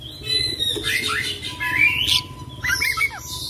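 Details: Oriental magpie-robin (kacer) singing in the full isian, ngerol style: a rolling song of varied whistled and scratchy phrases, with a long high tone and sweeping upslurs, over a steady low hum and a faint thin tone.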